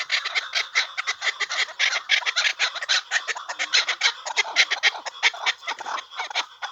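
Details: Partridges giving loud, raspy, clucking calls in rapid overlapping bursts, several birds chattering continuously with a fast, uneven rhythm.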